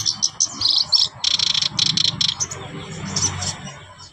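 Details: Black-browed babbler in full voice, pouring out dense, rapid high-pitched chattering and squeaky notes in tight clusters, fading into softer scattered chirps over a faint low hum.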